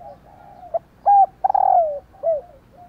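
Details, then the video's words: Female spotted dove calling to encourage males to coo: a soft lead-in, a clear arched note, then a long descending coo with a stuttered onset and a final curved downslur. "Tiếng Cu Mái/ cu mái kêu kích chim cu gáy trống gáy theo"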